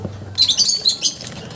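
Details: A newly arrived parakeet gives a quick burst of high, scratchy chirps lasting under a second, after a faint low hum.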